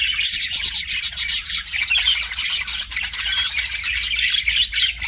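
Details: Caged pet budgie warbling toward a mirror; opens with a quick series of thin high whistled notes, then rasping chatter and scratchy squawks run continuously to the end.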